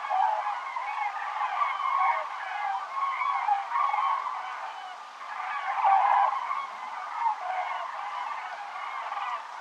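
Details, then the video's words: Autumn crane flocks heading south over Navarra in the Pyrenees on 1 November 2017, circling overhead. A steady chorus of many bugling, rattling calls, easing briefly around five seconds and then swelling louder again. "Flock of Cranes flying south at the Pyrenees - Canto de las Grullas"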